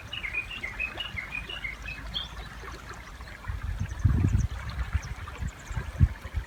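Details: Riverside Japanese bush warbler, one of two songs heard there: a fast string of brief high notes lasting about two seconds. Loud water splashing follows, with fish jumping in the river.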